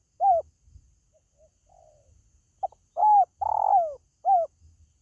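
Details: Spotted dove, heard as a call to attract pet birds: a single short coo, faint soft sounds, then a full phrase of clipped note, arched coo, long rolling downward coo and short closing coo.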